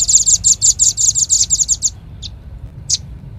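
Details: Lure call of the velvet-fronted nuthatch: a rapid run of high, sharp chattering chips for almost two seconds, then two isolated single notes after a pause.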